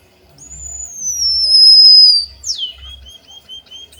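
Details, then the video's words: Java sparrow imitating canary song: a long, slowly falling high whistle, then a steep downward sweep followed by a soft run of short repeated notes. "Suara burung pipit bondol haji emprit kaji gacor"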